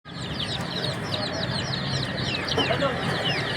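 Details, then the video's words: Chicken chicks chirping in a crowd: many short, high, down-slurred peeps overlap in a steady chatter, about four per second, over a constant low rumble. "Relaxing Chicks Chirping Sounds in Nature"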